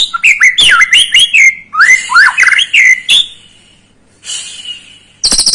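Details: White-rumped shama song serving as a lure to excite a young bird: energetic, tumbling whistled phrases with sharp swoops and twists, a short pause, a faint note, then a burst of high rattling.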